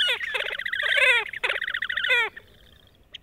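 A horned grebe gives two bursts of rapid, nasal, squealing notes, each sliding slightly downward, before falling quiet.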